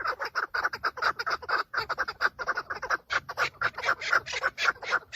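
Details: Chukar partridge males fighting and displaying for females during breeding season, filmed from a car: rapid clucking chuck notes in two dense runs separated by a brief pause near the middle.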